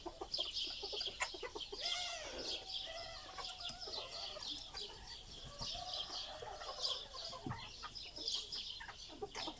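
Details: Gold Sebright chicken, an ornamental breed kept in Istanbul, Turkey, in 2020: a brief wavering crow early on amid steady clucking from several fowl, with constant high chirping from other birds behind.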